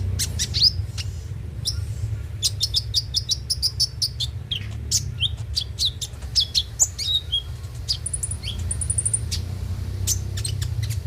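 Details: Konin lure song, the bird being Van Hasselt's sunbird, used to get a bird singing: rapid high ticking series and twitters, then thin buzzy high trills late on, with steady low noise beneath.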